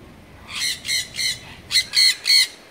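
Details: Sun conures (Aratinga solstitialis) at Artis zoo, Amsterdam: six harsh, grating screeches in two quick sets of three, each loud and raspy with a buzzy, high-pitched edge.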